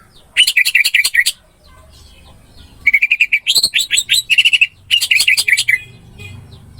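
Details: Orange-headed thrush song as a masteran recording to get a quiet bird singing: three bold bursts of fast, ringing, slurred whistles, each about a second long, separated by short pauses, with a faint low rumble between.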